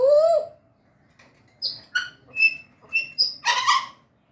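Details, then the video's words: African grey parrot, kept as a pet, talking and mimicking in Urdu and Hindi: a rising whistled note, then after a pause five short, harmonic, speech-like syllables, the last one longest and loudest. "African grey parrot"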